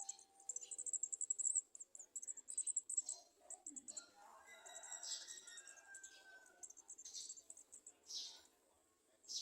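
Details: Garden sunbird young at the nest being fed by adults standing below it; thin, very high chips repeated in quick bursts, with softer lower whistled notes and rustling in the middle.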